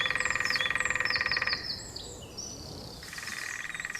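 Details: A female woodpecker drums on top of a dead ancient oak in spring, advertising territory to mates and rivals: fast, resonant rolls, one about a second and a half, then a pause. She tries different wood. Thin songbird calls overhead.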